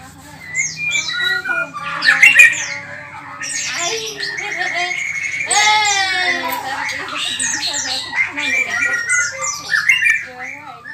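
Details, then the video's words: Murai batu, the white-rumped shama, delivering a long, varied song of rich whistles, rapid buzzy trills and sweeping slurred notes, with short pauses between phrases over a faint low hum. "Murai Gacor || ocehan burung"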